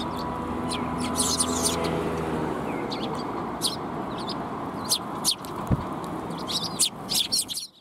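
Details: Sparrows coming for food at a Tenmangu shrine, afternoon of 18 March 2021: scattered bright chirps and short twittering bursts from several birds, with distant traffic noise underneath.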